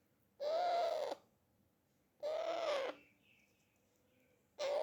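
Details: Pet parrot calling while it eats: three drawn-out, slightly arched nasal notes, each under a second long, separated by roughly one-and-a-half-second pauses, with a faint soft whistle between them, indoors and otherwise quiet.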